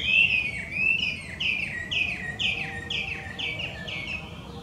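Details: Wild Chinese hwamei, an introduced invasive bird in Japan, delivers a string of loud downslurred whistles, each note dropping in pitch and repeated roughly every half second, with faint low background noise.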